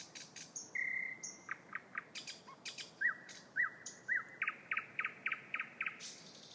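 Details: Very loud thrush nightingale song: sharp clicking notes, a sustained whistled tone, then rapid repeated chopping notes and downward-sliding whistles delivered in a fast rhythmic series of nearly two per second.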